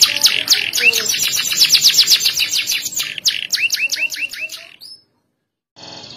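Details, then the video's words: Domestic canary delivering loud, sharp, ornately phrased song: a dense high chattering trill flowing into a series of repeated rising whistled slurs, then a brief silence before a faint tone. "durasi kenari volume keras tajam cengkok mewah"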